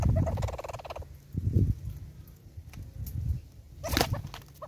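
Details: At a South African bird feeder, a Southern red-billed hornbill gives a loud second-long run of fast, pulsed clucks, then quieter scattered notes over low rumbling noise and a sharp burst near the end.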